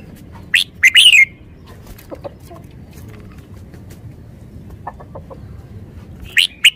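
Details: Red-whiskered bulbul kept as a decoy bird in Thailand gives two short bursts of bright, warbled notes, one early and one at the very end, with quiet background between.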